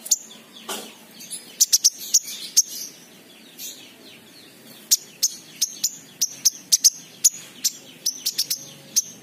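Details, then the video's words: King konin giving sharp, very high chips and short down-slurred ticks in uneven bursts of two or three a second, over a faint hiss. This is a lure recording meant to coax raw or reluctant birds into singing. "pancingan King Konin bahan"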